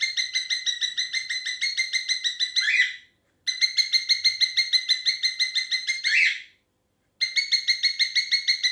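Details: Cockatiel (Nymphicus hollandicus) with its owner, giving rapid bursts of rich, harmonic chirps, each run ending in a brighter upswept note.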